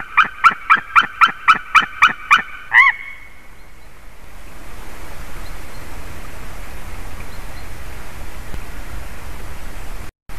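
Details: White-tailed eagle at the nest, filmed by a live camera on the morning of 14 February 2019 at 07:40, giving a loud run of about nine sharp yelping notes, roughly four per second, ending in a longer note, followed by steady wind noise.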